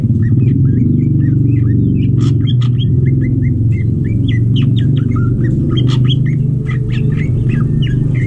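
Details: Greater green leafbird raised for breeding, calling while mating: hooked whistled notes and crisp chirps in quick irregular series, with a few loud clicks and a persistent low hum.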